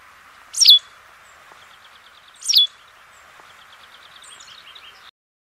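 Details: A singing White wagtail (Motacilla alba) gives two sharp, high chirps about two seconds apart, with faint twittering in between and toward the end over a steady background hiss.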